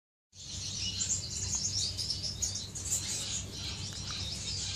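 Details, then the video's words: Finches in an aviary during courtship, recorded 10 May 2015: a dense, continuous stream of high, thin chirps and twitters over a low background hum. "غزل بين طيور الفنش داخل مطير"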